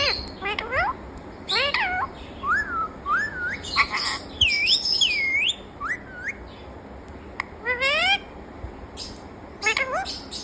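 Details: A talking parrot keeps up a lively sequence of harmonic voice-like calls, rising glides and looping whistled swoops, with short clicks mixed in. The notes come close together across the whole stretch.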